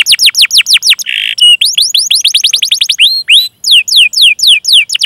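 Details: Training song of a canary, full of 'cuit cuit' notes and rolls, used as a lure for young, untrained or silent canaries. Fast repeated downslurred chirps, a short buzzy burst, more chirp runs, a brief pause, then further chirps.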